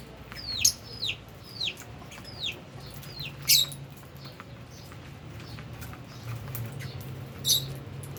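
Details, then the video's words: Albino and Fischer's lovebirds eating and playing: a series of sharp, downward-sliding shrill chirps, closely spaced at first and then more widely apart, with a steady low hum behind. "Lovebirds Chirping Sounds"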